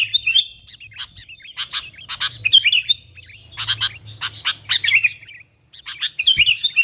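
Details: Sooty-headed bulbul used as a lure for wild companions: a busy stream of harsh, scratchy squawks interleaved with liquid, warbling chirps, continuing almost without pause.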